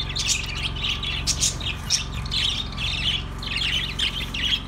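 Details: Budgies keep up a busy stream of squawky chirps and rapid warbled phrases, several birds overlapping, with a constant low background hum.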